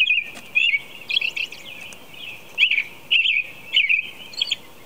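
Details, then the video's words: An American robin sings at 4:00 a.m., carolling in short, liquid, warbled phrases of two or three notes that rise and fall, with brief pauses between them and a faint background hiss throughout. "American Robin Song"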